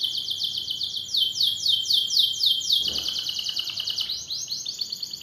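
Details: A long-duration masteran recording of a canary: steady loud trills of repeated falling sweeps, roughly four per second, that shift into a tighter, faster high rattle partway through, over a quiet background.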